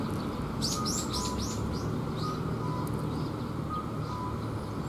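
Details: Sparrows gathering for food at a Tenmangu shrine, 8 October 2021, give a quick run of sharp, slightly falling chirps, then sparser softer ones, over a constant low rumble with faint steady tones.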